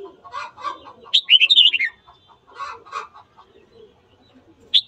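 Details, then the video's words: Red-whiskered bulbul singing in the morning to stir up fighting; one rippling warbled phrase of looping whistles falling at the end, surrounded by low clucking chatter from other birds. "Luyện giọng chào mào hót sáng kích bổi đấu"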